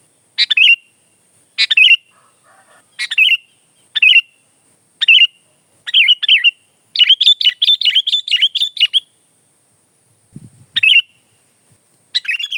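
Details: Sooty-headed bulbul, known locally as kutilang, singing energetically: short chirpy phrases ending in a clear whistle, repeated about once a second, with a faster burst of rapid notes in the middle. A faint low sound is heard near the end.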